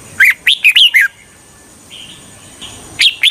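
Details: Red-whiskered bulbul used to lure wild birds for trapping: a rapid run of five loud, bouncing whistled notes, a quiet soft warble, then two more sharp notes.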